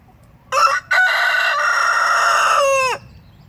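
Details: Rooster crowing while his hens take a dirt bath: a brief opening note, a short gap, then one long, loud, harmonic-rich crow held steady for about two seconds before a falling, fading end.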